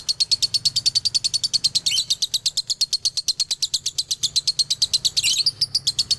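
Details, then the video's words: Dobelan song from a male lovebird of the Galendo line, Ciamis. Dense, high-pitched chirps repeat quickly and steadily, with two brief, raspier squawks in the sequence. "SUARA ASLI DOBELAN LOVEBIRD JANTAN"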